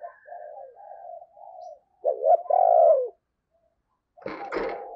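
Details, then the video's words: Decoy spotted dove calling wild doves: a run of soft low coos, then a loud accented double-note coo, followed by a brief handling thump and rustle. "Chim Cu Mồi Thúc Và Gáy Gọi Bổi"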